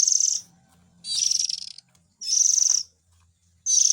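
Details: Harsh, hissing calls of white-rumped shama chicks, a lure sound for adult birds: four loud, grating high bursts of about 0.7 seconds with brief gaps, over a faint low murmur.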